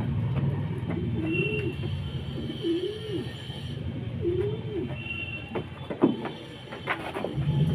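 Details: Pigeon cooing: three soft, low, arched coos spaced about one and a half seconds apart, set against a steady low rumble of engine or traffic noise, with a few sharp knocks near the end.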